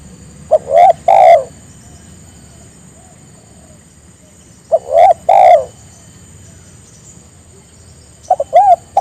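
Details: Spotted dove calling out so other doves answer: three evenly paced phrases about every three and a half seconds, each a quick pickup note and two deep rounded coos, against low steady hum.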